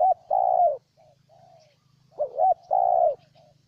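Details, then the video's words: Vietnamese spotted dove, Ninh Thuận, giving mellow coos: a long descending coo, soft trailing notes, then a wavering double hoot and another long coo. A low droning hum continues underneath. "Cu Gáy Ninh Thuận"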